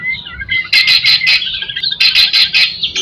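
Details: White-rumped shama song used as a lure for other shamas: soft whistled notes, then two groups of four loud, sharp, rapidly repeated burst notes.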